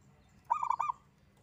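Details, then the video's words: Local zebra dove, a single bird singing actively, gives one quick burst of four clipped, hollow cooing notes, evenly spaced and bright, against a faint low hum. "Kutut Lokal Gacor‼️ENGKEL Untuk Pancingan Bunyi"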